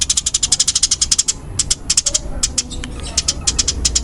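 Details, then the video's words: Fast, dense sparrow chatter from a fighting-type Eurasian tree sparrow (burung gereja tarung): rapid rattling runs of sharp high ticks, broken by brief pauses and resuming in quick bursts. "Suara Burung Gereja Tarung Kencang dan Rapat"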